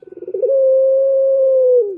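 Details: Male turtle dove call used to lure other males: a quick stuttering run of low pulses flows into one long, steady, low coo that drops slightly at the end.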